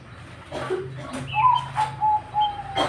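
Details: A lively Cemani zebra dove praised for its unusual tone. Soft background sounds come first, then from midway a run of low, even cooing notes repeats about every third of a second.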